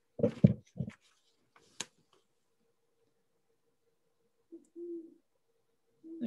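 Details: Great horned owl (Bubo virginianus), one of Manitoba's owls, found almost anywhere in North America, gives deep, soft hoots: a quick run of three or four low notes, then two more a few seconds later, with faint clicks.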